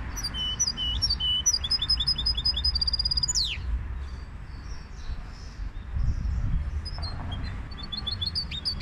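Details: Goldfinch hybrid delivering a fast series of high, tinkling, repeated notes and bright twitters that ends in a quick downward slur, then a pause with a few scattered chirps before the twittering resumes, over a low background hum.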